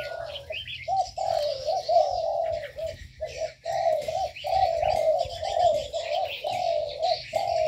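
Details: Birds in an aviary give continuous mellow cooing in rolling phrases, briefly broken by pauses, while scattered high chirps and twitters sound behind.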